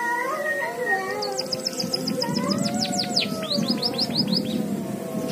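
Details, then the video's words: Canary-style song learned by a white-headed munia: rapid runs of high, sharp, downslurred chirps, over lower sliding whistled tones and a steady low rumble. "Burung Emprit Kaji isian Kenari"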